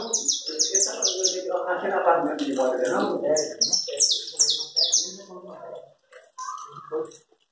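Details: Saffron finch giving chapinha carretilha song, bursts of sharp high chirps in quick runs, with a low human voice talking underneath through much of the recording and a short whistled note near the end.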